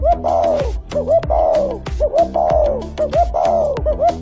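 Spotted dove giving soft, mellow coos in short phrases, a brief note then a longer drawn-out one, about once a second, over a steady music bed.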